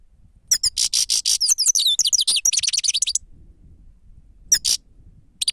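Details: Grey-crowned goldfinch singing in the sava style, recorded for use as a lure: dense bursts of high, twittering, buzzy trills for about two and a half seconds, then a short twittered phrase and a final fragment against a quiet background.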